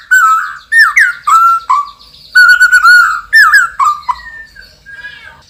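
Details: White-rumped shama, a champion singer with loud, strong song, giving rich fluty whistled phrases around a mid pitch, slurred and repeated about twice a second, fading at the end.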